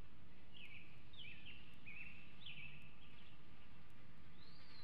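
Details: Bald eaglet in the Hanover nest, 2021, showing food aggression before fledging: a series of about five short, high, wavering chirps at irregular spacing, ending in a thin rising squeal, over low rumbling noise.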